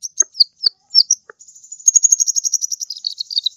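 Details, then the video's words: Kolibri ninja sunbird singing actively, a tutor recording for training other birds: high thin chirps and trills, then a long rapid buzzy twitter running without pause through the second half. "suara burung kolibri ninja gacor"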